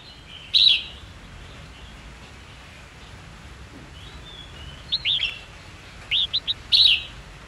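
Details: Red-whiskered bulbul singing a fighting song used for training young birds: a loud whistled burst, then after a pause several rapid rising-falling whistled notes and a final strong phrase.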